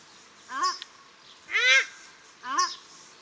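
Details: Calling paradise shelducks, male and female, at Cornwall Park, Auckland, New Zealand: three honks about a second apart, the outer two thinner and nasal, the middle one broader and harsher.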